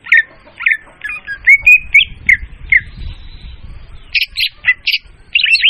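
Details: Leafbird lure sound for attracting birds, loud and clean: hurried slurred whistles and a drawn-out rising note, then a few harsh, buzzy bursts, with a low rumble underneath.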